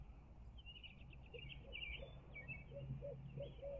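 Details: Barred owl in Midtown Tulsa giving low, arched hooting notes, faint at first, then five or six in quick succession during the last second and a half, over steady chirping from smaller birds and a low background hum.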